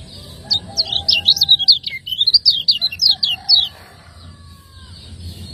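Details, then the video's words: A master recording of the lemon-bellied white-eye (kecial kuning) from Lombok in the 'ciak ngejos' style, used for training cage birds. It has a three-second volley of quick, high-pitched chirps and twittered notes, then a soft background hum. "ciakngejos|Masteran burung kecial kuning"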